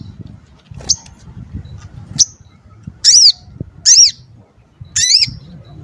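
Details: Crimson sunbird, a bird whose voice is called dense, sharp and varied and used to tutor other songbirds, giving a few high thin chirps, then three sharp arched squeaky notes about a second apart. Quiet low rumble underneath.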